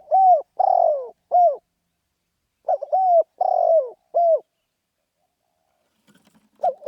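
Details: Spotted dove calling: a three-part phrase of a short stuttered coo, a long rough falling coo and a final clear coo, repeated twice with a gap, a third phrase starting at the end; quiet clean background.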